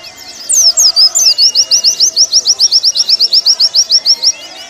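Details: Warbling white-eye song for training caged birds. It begins with looping, sliding whistles, then a long, even series of rapid, sharp high notes.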